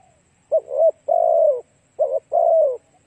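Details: Spotted dove cooing, played as a lure to attract and train other doves: two phrases, each a short doubled coo followed by a longer, low, slightly falling croon, in a quiet background.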